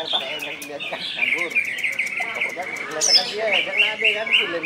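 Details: Greater green leafbird of West Kalimantan (Kalbar) origin in 'gacor' song with 'ngentrok' and 'nembak' phrases. Rapid chattering and slurred whistles run steadily on a high band while men talk nearby.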